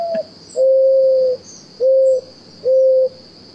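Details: Mourning Dove cooing: three low, soft, even hoots, each under a second long and spaced about a second apart, with crows audible in the background over a faint steady high hiss.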